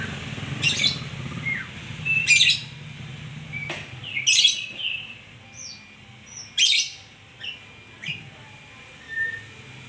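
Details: A white-rumped shama sings sharp, loud chips and short whistled slurs, spaced irregularly every one to two seconds, with quieter high notes between them against a faint low rumble.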